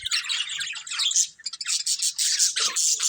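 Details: Several budgerigars chattering together in a loud, unbroken wash of high warbling chirps, with a few quick squeaks standing out near the end.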